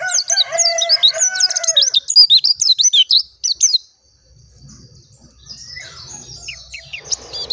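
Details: Clear, natural song of a dakun oriental white-eye: dense, quick, high twittering notes for nearly four seconds, with lower, drawn harmonic calls mixed in at the start, then quieter scattered chirps after a pause.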